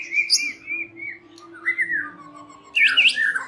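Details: White-rumped shama evening lure song: sliding whistled notes gliding up and down, then a loud burst of sharp high rising notes at the end.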